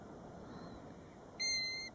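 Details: European golden plover near its nest by a roadside at Båtsfjord, recorded from a car; one clear, level, plaintive whistle held for about half a second after a quiet pause.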